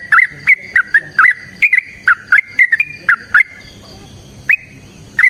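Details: Yellow-vented bulbul singing a long fighting song meant to provoke other birds to answer. Quick, slurred whistled notes fall and rise in a steady series, with crisp clicks, then a lull before two final notes.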